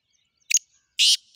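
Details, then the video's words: Black francolin: a short doubled opening note, then loud rasping buzzy bursts starting the call series, sharp and high with nothing else audible. "کالا تیتر کی مکس آوازیں کالا تیتر کی بولیاں"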